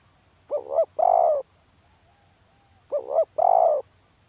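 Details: Two mellow cooing phrases from a spotted dove, spaced about two and a half seconds apart. Each has a brief undulating first note and a longer even second note, in a quiet setting.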